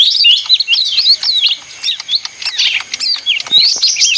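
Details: Rowdy leafbird song: rapid, uneven bursts of slurred whistles and sharp chips, several notes each second, with short gaps between the busy phrases.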